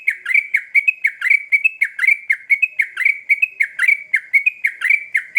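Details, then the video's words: Lure song of a sooty-headed bulbul meant to prompt answers from other birds: a fast, steady string of short sharp chirps, each dipping then flicking upward, running without a break. "Trucukan Gacor Ngamuk Pancingan Cepat di Respon Burung Trucuk Bahan"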